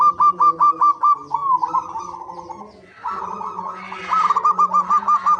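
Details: Perkutut, the zebra dove, singing in a lure recording meant to make captive birds call: crisp repeated coo notes, a blurred rolling stretch in the middle, then the clipped rhythmic notes return with a faint hiss behind.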